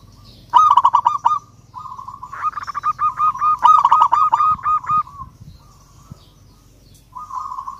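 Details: Local Indonesian zebra dove (perkutut lokal) singing energetically to call a rival: short bursts of rapid, clipped cooing notes, then a long rolling series of arched notes with brief pauses. A final burst starts near the end.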